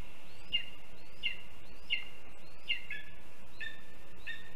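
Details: Lesser spotted eagle chick in a Latvian nest on 7 July 2022 begging for food from its parent: six high, thin whistled notes with rising slurs at even spacing, the last ones slightly lower, over faint low rumble.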